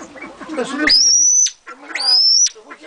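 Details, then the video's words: Pheasant call: two shrill whistled notes, each about half a second long, sliding up and then holding a steady high pitch, separated by a short pause, over faint low background chatter. "ΦΑΣΙΑΝΟΙ - PHEASANT"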